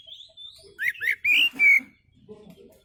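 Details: Oriental magpie-robin giving a relaxed song meant to lure other birds: a soft thin whistle, then two rising slurred notes and two longer rich warbled whistles, fading to quiet.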